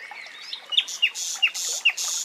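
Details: Common nightingale song in woodland, a steady series of four sharp downslurred high notes, each followed by a broad harsh buzz, repeated roughly every half second.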